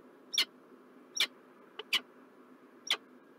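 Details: A peregrine falcon in Montreal, Canada, recorded 4 November 2023, gives short, harsh, high-pitched notes, four or five in under four seconds at uneven spacing, over a steady low background hiss.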